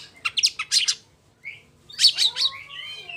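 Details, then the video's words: Song of an Oriental magpie-robin, played to trigger rival magpie-robins to sing: two bursts of rapid harsh chirps separated by a short pause and a brief whistle, ending in sweet slurred whistled notes. "Tipe burung rol spid Cari lawan, cocok buat pncing bunyi kacer bahan...biar mau on.."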